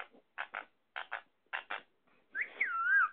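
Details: Indian ringneck parakeet (sindhi parrot) talking: paired clipped syllables repeated three times, then a loud, wavering whistle that rises, dips and glides down.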